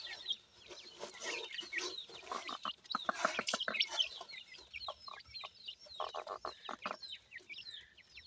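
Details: Several baby francolin chicks cheep continuously, high downward-sliding notes layered over a fast series of short, knocking pulses through the middle of the recording.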